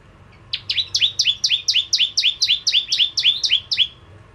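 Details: A steady run of about thirteen bright, high chips from a bar-winged prinia, each note sweeping downward, delivered roughly four per second over three seconds.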